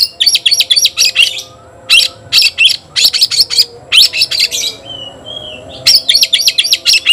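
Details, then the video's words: A kept white-rumped shama challenging a rival to fight, delivering long runs of harsh, evenly spaced chattering notes, a quiet gap with a faint slurred whistle, then renewed rapid chatter. "Teriakan KACER panggil lawan tarung"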